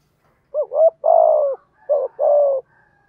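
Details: A Spotted dove in thổ voice calls to lure wild doves. A double-humped opening coo leads into a long rough coo; after a pause, a short coo and another burry coo follow.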